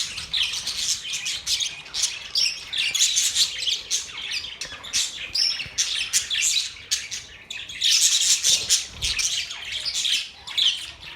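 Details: Budgerigar chatter fills the recording: overlapping high chirps, squeaks and buzzy warbles in dense bursts, loudest around the eighth second.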